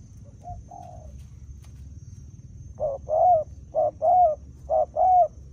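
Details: Spotted dove in a decoy-bird trapping context: soft, faint coos at first, then three loud paired phrases, each a short hollow note and a longer slurred one, about a second apart.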